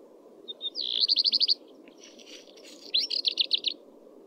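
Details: Two song phrases of a common redstart (Phoenicurus phoenicurus), each opening with soft short whistles before a fast trill-like run of repeated high notes. The second phrase is less clean, and a low steady hum lies beneath.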